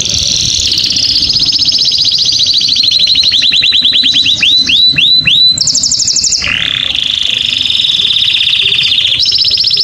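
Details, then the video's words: Canary singing to stimulate females and males, bright high trills throughout, a run of rapid rising swept notes, then a sustained dry rolling trill and a final high tour. "أقوى تغريد كناري للتسميع و تهييج الأنات و الذكور song canary"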